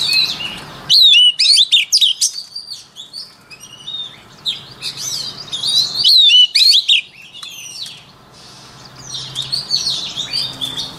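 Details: White-rumped shama pouring out a long training song: repeated bursts of loud, fluty whistles and sharp swooping notes separated by short pauses, with softer twittering between.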